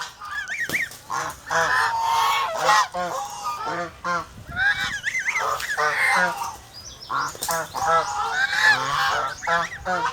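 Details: Domestic geese kept as poultry in the Philippines, a guarding flock honking in uneven bursts; chattering short notes mixed with longer upward-arching blasts, several birds overlapping throughout.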